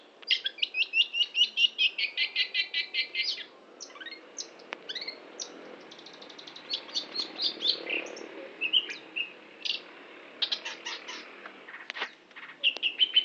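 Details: Long-tailed shrike song opening with a rapid, fast-repeated burst of bright chattering notes, then a looser, varied run of chirps, squeaks and scratchy phrases with short pauses.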